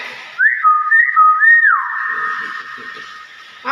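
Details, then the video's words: Common hill myna, a pet bird, producing a clear whistled phrase of looping rising and falling notes that ends in a long steady tone, after a person says "good morning". "burung beo pintar"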